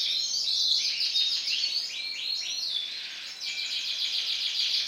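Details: Bright lemon-coloured male canary singing a continuous, rapid song of high trills and rolling downward-sweeping phrases, with buzzy sections and brief pauses, over a quiet background.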